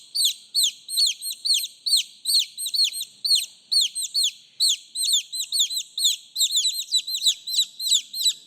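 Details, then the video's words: Domestic chicks calling their mother, a lively run of high, sharply falling peeps at roughly two per second, several birds overlapping, with a couple of soft clicks near the end. "TIẾNG GÀ CON KÊU, GÀ CON GỌI MẸ"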